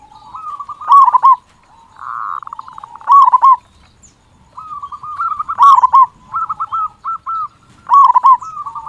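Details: Strong-voiced local zebra dove singing to stir quiet or lazy doves into calling: bursts of rapid stuttering coos, each phrase ending in a rolled flourish, repeated about every two to three seconds with short silences between.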